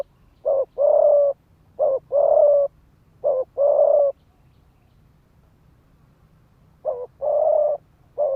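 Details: Spotted dove used as a ground decoy, cooing in the fast 'thúc gù' style to provoke males to fight: low, mellow hoarse coos in short-then-long pairs, three phrases in quick succession, a pause, then more.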